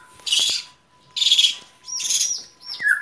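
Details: White-rumped shama giving three loud harsh rasping notes, each under half a second long, then a short whistled slur at the end; a faint constant hum runs beneath.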